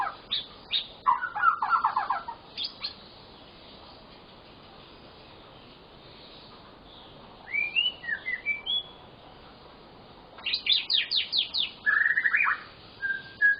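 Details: White-rumped shama, or murai batu, pouring out gacor full-fill song to encourage silent shamas: bursts of sharp notes and buzzy rolls, a soft twittering phrase mid-way, then loud clipped whistles, separated by pauses.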